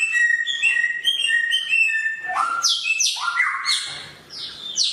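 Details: Samyong bird with a sharp voice singing: bright whistled phrases at steady pitch, then quick stepped notes that jump up and down between high and middle registers, delivered close and loud.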